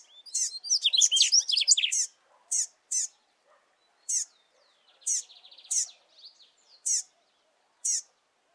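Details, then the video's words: A young Double-collared Seedeater, a fledgling just out of the nest alongside its father, calls insistently: a rapid tumble of high, thin chirps, then sharp single notes about once a second with a brief buzzy trill. "Filhote de Coleiro Chamando Muito"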